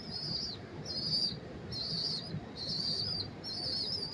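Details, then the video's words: Pigeon chicks recorded up close in New York City on September 5, 2023. They give high, thin, wheezy peeps in short bursts, about one every second, over a steady low city rumble. "sound of pigeon chicks chirping"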